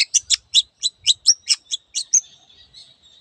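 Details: Long-tailed shrike singing "teot teot": a fast run of about eleven sharp, harsh chipping notes over two seconds, then a thin fading trill.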